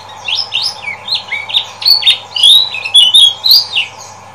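A lemon-bellied white-eye pours out a fast, chattering song of high twittering notes and short rising and falling slurs, a low indoor hum beneath.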